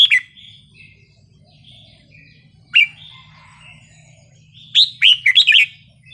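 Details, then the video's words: Red-whiskered bulbul in forest-style song, scattered bright whistled notes with quiet gaps, ending in a quick chattering run of four or five warbled notes. "นกกรงหัวจุกเพลงป่า สำนวนเพราะ ๆ เปิดยั้วนกฟังนกคึก"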